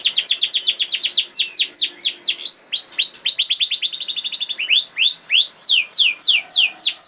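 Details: Lively canary song meant to trigger singing in other canaries: long runs of steeply falling whistled notes at about four per second, with a faster tight trill in the middle and rising sweeps after.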